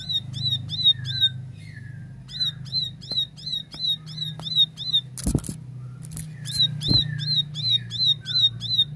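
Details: Singing plain prinia, 'tembakan' style: repeated sharp, buzzy notes in quick regular strings about three per second, a few descending slurred chirps between runs, loud clicking knocks midway and a steady low hum.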